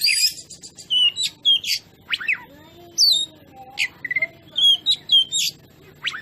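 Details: Oriental magpie-robin (kacer) song played as a training recording to agitate other birds into singing: loud, varied whistled phrases, quick rising and falling sweeps and sharp upslurred notes in bursts with short pauses, over a faint low hum.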